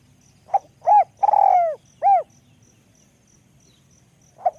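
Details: Spotted dove, high-pitched 'luk kok' call style: one full cooing phrase of a short note, arched coo, long buzzy descending coo and rounded coo, then the opening note of the next phrase after a pause.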